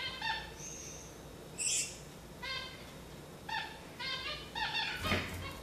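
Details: Gouldian finches calling: brief harmonic notes repeated in short clusters, with one thin whistled tone and a sharp high chip, in a quiet room over about five seconds.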